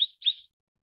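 Mrs. Gould's sunbird gives two quick high chirps about a quarter second apart, thin and bright, with nothing else heard.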